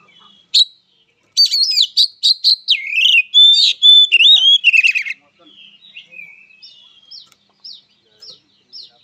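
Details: Oriental magpie-robin fighting song: a dense run of chips and whistled slurs lasting several seconds, then quieter, widely spaced single notes.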